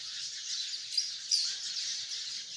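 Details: Sparrows by the hundreds in one tree chirp together: a constant high twittering mass, with two sharper, louder chirps standing out near the middle.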